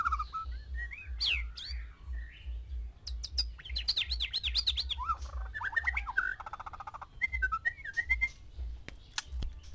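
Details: One male white-rumped shama with six females, song used to stir mating: rich warbled phrases, wavering whistled runs and fast rattling trills, backed by a continuous low rhythmic beat.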